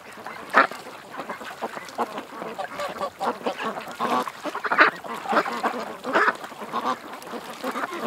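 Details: Ducks at a creek give scattered loud quacks among continuous lower chattering. A few sharp bursts stand out, spaced irregularly.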